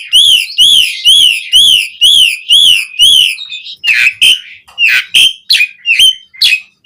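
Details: Asian pied starling in vigorous song with varied fill-ins, for training kept birds: seven clear arched whistles at a steady pace, followed by harsher, buzzier mixed notes in an irregular sequence.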